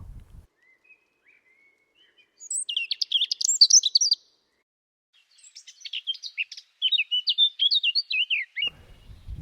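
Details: European robin singing in spring, typically among the first at dawn and last at dusk: a thin drawn-out whistle, then rapid, nervous tumbles of high sparkling notes, short and long, in varied rhythm.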